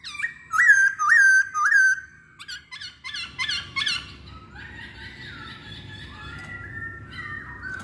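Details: Masked laughingthrush song meant to draw others into singing: three loud hooked whistles, a series of short sharp notes, then softer gliding tones.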